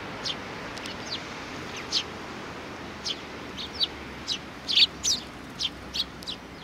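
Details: Sparrows, with young ones among them, recorded on 27 June 2019: short, sharp high chirps spaced unevenly, a few louder ones near the end, over a steady low background hiss.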